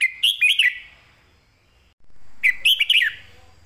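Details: Clear southern-style master song of a caged red-whiskered bulbul, used as a training model. Two loud, fast phrases of liquid, warbled notes are separated by a soft fading whistle.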